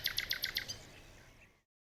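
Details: Five or six evenly spaced bright double chirps from a jungle bird, fading into a soft tail before sudden silence.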